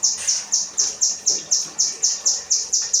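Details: Kinoi singing 'rambatan' material meant for tutoring caged birds: a quick, even series of bright, piercing chips, each with a short downward slur, roughly four every second throughout, over faint background hum.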